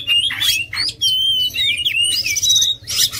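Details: Oriental magpie-robin song, with a sustained pure whistle and mixed twittery, buzzy notes over a noisier, reverberant background.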